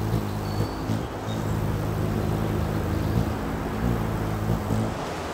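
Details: Steady low rumble of a passing vehicle with droning engine hum and broadband road noise throughout; no animal voices stand out.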